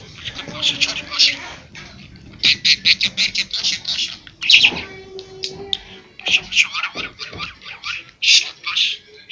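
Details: Pet budgerigar said to be speaking Kurdish, indoors: rapid bursts of high, scratchy chatter in short phrases with brief pauses, speech-like warbling throughout, and a faint low voice in the background.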